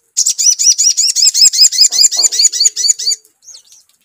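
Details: Crimson sunbird lure sound meant to set another bird singing: a fast, high, bright series of about fifteen upswept chirps in three seconds, then fainter scattered notes.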